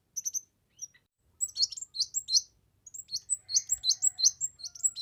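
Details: Kemade in full gacor song for masteran, trapping and luring: a few high chirps, then dense, rapid strings of shrill slurred whistles and twitters building to a continuous outpouring, with faint low rumbling beneath.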